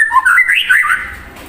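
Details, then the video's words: Shama in full song stirring up an untrained bird: one short, continuous warbled phrase of clear whistles that leap up and down, fading at the end. "Murai Batu Gacor Memancing Emosi Murai Bahan"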